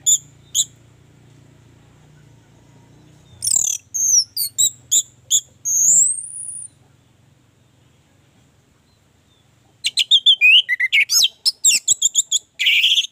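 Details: Orange-headed thrush giving 'gacor' song, played to coax others into singing: scattered sharp notes and a long rising whistle, a quiet gap with low hum, then a dense rush of rapid chirps.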